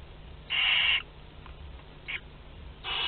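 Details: Barn owl chicks aged 2 to 12 days during a group meal, Théding, 29 April 2021: one harsh hissing screech about half a second long, then a brief faint rasp and another screech starting at the end.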